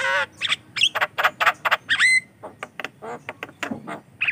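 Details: A Javan myna sings as a lure and training model for other mynas: loud grating squawks and a sliding whistle crowd the first two seconds, followed by softer scratchy chatter.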